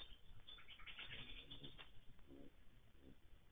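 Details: Baltimore orioles, more than one, giving a dense, harsh chattering burst of rapid notes for about a second, then trailing off into softer lower sounds over steady background rumble.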